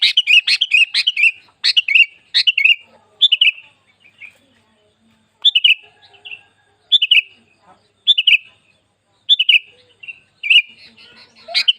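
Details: Sooty-headed bulbul, a kept cage bird, singing to stimulate other bulbuls to sing: short bubbly whistled phrases of three to five quick notes, repeated about every second, with brief pauses.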